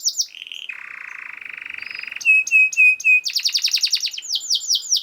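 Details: Canary master song to prompt other canaries to sing: a high note, a long low buzzing roll, four clear whistled notes, then quick falling sweeps repeated in a rapid series.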